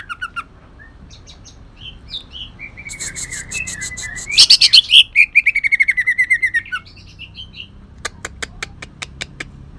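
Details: Kalimantan green leafbird (cucak ijo) with shrike-mimicry fill: quiet opening notes, then a dense chattering run that swells into loud rapid whistles and falls away into scattered sharp clicks.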